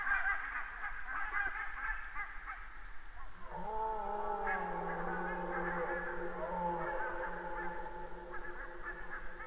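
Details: Geese flying over an Estonian red deer webcam on 29 September 2015: overlapping nasal honks at first, then a deep, drawn-out low moaning sound lasting several seconds beneath continuing fainter honking.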